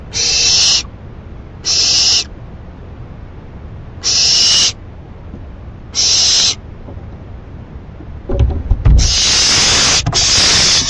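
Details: At 11:30 pm on 28 May, an owl feeding on a delivered rabbit gives a series of four evenly spaced harsh hissing screeches, then rustling and a longer, louder screeching burst.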